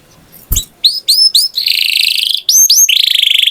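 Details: Singing canary with a sharp click at the start, then separate rising whistled notes, a long buzzy trill, more upslurred whistles and a final fast rolling trill.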